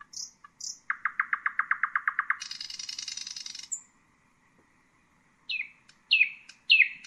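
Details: Nightingale phrase of high whistles, then about fourteen rapid even notes building into a dense high trill; after silence, three sharp downslurred notes.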